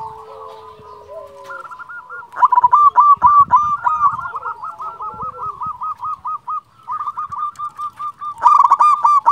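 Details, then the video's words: Local zebra dove calling: a soft low coo, then long runs of rapid, evenly repeated mid-pitched cooing notes, several fast bursts in sequence, ending with a louder, harsher series. "Perkutut lokal gacor Juara memanggil hanya sekali putar langsung nyaut"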